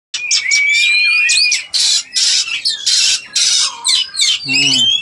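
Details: Female Oriental magpie-robin in breeding condition: a clear rising whistle, then loud harsh, hissing bursts and scratchy chatter, ending with a brief low, harmonic-rich squawk.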